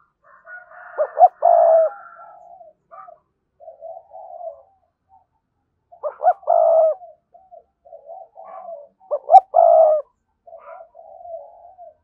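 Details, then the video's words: Caged decoy spotted dove with a good, strong 'thúc' voice gives a full cooing phrase three times, about every four seconds. Each phrase has a loud throaty burst followed by softer trailing coos. "Tiếng cu gáy mồi chuẩn, con mồi có giọng thúc hay và sung"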